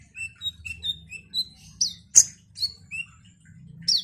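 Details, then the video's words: Olive-backed sunbird in frequent, energetic song: a run of short high whistles stepping up and down, cut by one sharp loud chip and ending in a buzzy rising note, with a low hum beneath. "Kolibri Ninja GACOR ini DIJAMIN bikin KONIN lain ikut EMOSI Rajin Bunyi"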